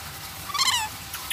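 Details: Black-capped lory speaking a greeting ("selamat sore" or "selamat pagi", good afternoon or good morning): one nasal, buzzy, voice-like phrase with stacked overtones, rising then falling, followed by faint ticking.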